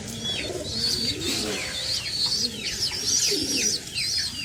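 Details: Pigeons feeding their young. Dense, excited high-pitched squealing of the chicks, many overlapping downward-sliding squeaks, with muffled low cooing beneath and a roomy background.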